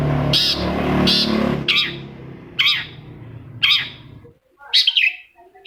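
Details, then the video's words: Long-tailed shrike (cendet) lure song, used to prompt a silent shrike into answering. Loud rumbling noise covers the opening, then sharp, scratchy downslurred notes about once a second. "PANCINGAN CENDET MALAS BUNYI SEKETIKA CENDET LAIN LANGSUNG NYAUT!!! | Singing of shrike bird"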